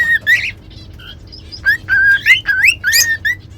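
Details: Whistling song from pet cockatiels used to train another cockatiel; short clear whistles, some higher chirps, building into a dense run of rising slurred notes near the end.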